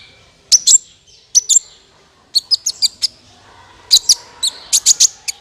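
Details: Lure calls of a sunbird for trapping: short groups of piercing, high twittered notes separated by brief pauses, some notes with a quick rising flick.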